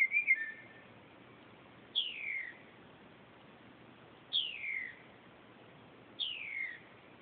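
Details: Northern mockingbird at 2:30 am giving clear downslurred whistles, each sliding from high to lower pitch, repeated three times about two seconds apart after a brief warbled opening, over low steady hiss.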